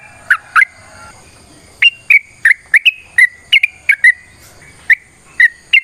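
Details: Sooty-headed bulbul giving a long fighting song intended to prompt other birds to answer: scattered loud whistled notes, a short pause after the opening pair, then spaced single and double notes at a lively pace.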